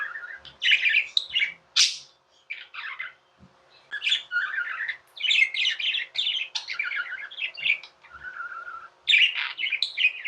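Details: Pet budgerigars squawking and warbling almost nonstop, with harsh buzzy bursts, one piercing high squeak, and a soft rolling trill near the end.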